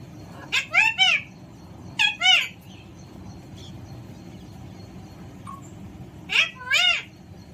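Alexandrine parakeet giving harsh, rich, rasping calls in three short bursts of two or three notes, with quiet pauses between, indoors.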